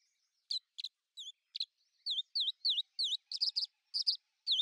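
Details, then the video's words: Common house martin song: a string of short, dry chirps and twittering notes, some bending downward, spaced irregularly and getting busier toward the end, in an otherwise quiet setting. "Пение городской ласточки"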